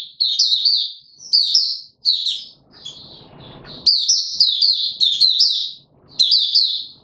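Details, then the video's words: Male white-eye singing in open song, 31 December 2021: bursts of high, sweet, tumbling warbles with short pauses, one gap filled by a soft noisy hiss. "Mata Puteh - Raja V2 Pushing him on form buka sing"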